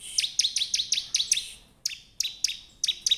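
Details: Energetic bar-winged prinia song played to provoke wild birds into answering: quick bright chirps in close succession, then after a brief gap slower, spaced sharp notes, each note dropping steeply in pitch.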